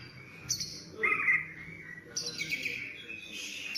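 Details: Kacer, the Oriental magpie-robin, giving brief song phrases: a short whistled note, then a louder scratchy rising burst, a pause and a longer buzzy high-pitched twittering passage over a low steady hum.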